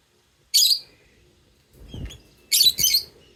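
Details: Lovebirds chirping and singing; two bursts of sharp, high, scratchy chirps about two seconds apart, with soft low thumps and rustling between them.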